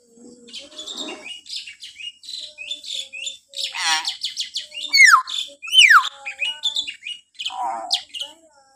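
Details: Common hill myna giving shrill morning calls, used as a lure to train captive mynas: a busy run of sharp chirps, whistles and two loud rising-falling shrieks near the end, with little pause between notes.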